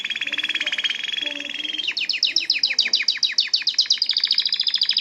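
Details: Canary singing a long rolled trill of rapid buzzy pulses that shifts partway into a quicker series of sharp, downward-swept chirps, all high-pitched and tightly repeated.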